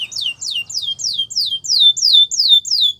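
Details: Russian or Belgian canary training song for young canaries: a steady string of loud, downward-sliding whistled notes, roughly three per second, evenly repeated throughout.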